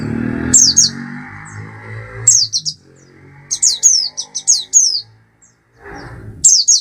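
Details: Song of an Oriental white-eye (Zosterops palpebrosus): clusters of sharp, very high descending chirps, delivered in short rapid runs separated by silent gaps, over faint low background hum.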